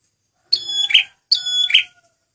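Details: Close male red prinia lure song: two rapid phrases of ringing whistled notes that break into a harsh buzzing rattle, with a faint low tone underneath.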